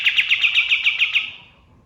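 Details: Male white-shouldered triller singing at dawn, used as a model for training songbirds: a quick series of about nine sharp, evenly spaced chipping notes that fade out at the end.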